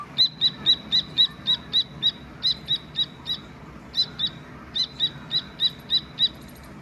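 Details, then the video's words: Dakni teetar partridge chick chirping naturally: rapid, high, clipped chirps in quick bursts of several notes, about three or four per second, with brief pauses between runs; faint low background hum. "Chirping Sound of Dakni Teter Baby"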